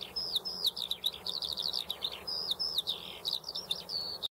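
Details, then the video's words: Eurasian skylark in nonstop song, mixing short sliding whistles, buzzy trills and rapid chirps in a rambling high flow, with light background hiss. "Skřivan polní"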